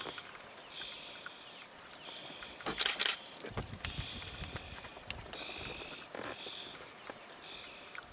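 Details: Several oxpeckers on a giraffe give overlapping hissing, buzzy, high-pitched calls, each about a second long, in a steady chorus over light background noise.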